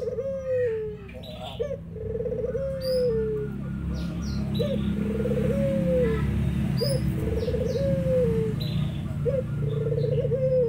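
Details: Spotted dove calling while zebra doves answer: a repeated purring, rolling coo that starts with a quick upward flick and slides down at the end. Soft high twitters from other birds and a steady low rumble run underneath.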